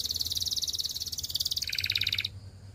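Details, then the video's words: Singing canary for practice training: a long, rapid, high-pitched rolling trill of evenly repeated pulses, joined partway by a lower-pitched fast trill, both stopping abruptly, leaving a faint low hum. "Canary Singing Practice Video"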